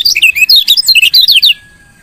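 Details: Chirping of a female lemon-bellied white-eye, used to stimulate males to sing: a loud, dense burst of rapid high twittering notes lasting about one and a half seconds, then quiet.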